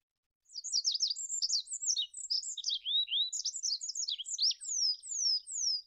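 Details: High-pitched song of an olive-backed pipit (Anthus hodgsoni): fast, jumbled twitters and short trills, a pair of lower slurred notes midway, ending with three loud, clear descending whistles.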